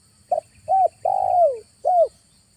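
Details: Single clear phrase of a spotted dove lure call, used in August for trapping wild doves: brief opening coo, arched coo, long coo gliding downward, then a last arched coo, loud and clean.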